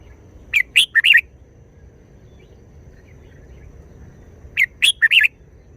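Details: Red-whiskered bulbul singing brief wild-style phrases: two identical bursts of four quick, clear, slurred whistles, roughly four seconds apart, with a soft steady background hum.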